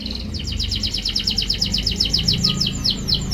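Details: Canary song used to prompt a canary that is reluctant to sing: a rapid trill of high, steeply falling notes repeated about seven times a second, over a low steady hum.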